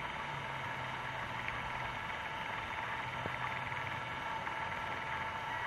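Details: Constant electrical hum and hiss with a faint low drone and a single click, and no animal sounds.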